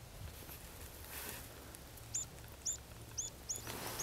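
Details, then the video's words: Buff-bellied pipit (Anthus rubescens japonicus) at Vikens hamn, Sweden, on 20 December 2010, giving five thin, high, sharp call notes about every half second, over a low background rumble. "Buff-bellied Pipit / Hedpiplärka"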